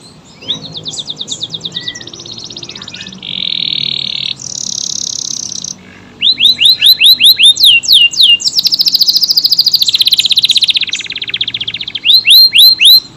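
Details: Long-running AF canary song: buzzy rattles and steady electronic-like tones, then loud rapid rising whistles repeated in series, followed by dense high trills and more sweeping notes.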